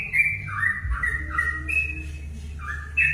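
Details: Brief burst of sooty-headed bulbul song meant to goad other bulbuls into singing: a few bubbly whistled notes sliding downward, then a gap and a rising note, with a steady low hum.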